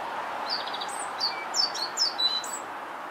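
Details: A male Eurasian blackcap sings at Rombergpark botanical garden on 1 July 2012: a quick, high-pitched warble of varied chirping notes over a steady background hiss.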